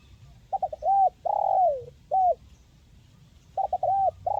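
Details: Crisp 'mersik' spotted dove in the 'kuk 1' style. It gives one full phrase of stuttered notes, an arched coo, a long downward-sliding coo and a short final coo, then after a pause begins the phrase again with stutters and an arched coo.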